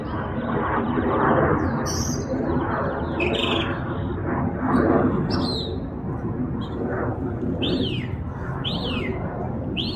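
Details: Bird twittering in a backyard, said to have more than 20 different sounds, mixing scattered sharp notes with a closing series of three clear down-slurred whistles about one second apart, over a loud steady background rumble.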